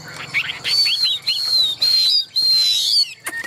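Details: Chinese hwamei in a cage, kept for singing contests, giving high, pure, drawn-out whistles held level and slightly falling, broken by short gaps, with a few lower chirps at the start.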